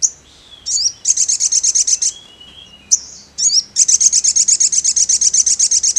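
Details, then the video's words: Sogon bird singing loudly: a short, thin, high whistle, then a long series of fast, evenly repeated, piercing chips, given twice with a brief pause between. "SEMUA SOGON AKAN IKUT NYAUT GACOR DENGAR SUARA SOGON SEPERTI INI"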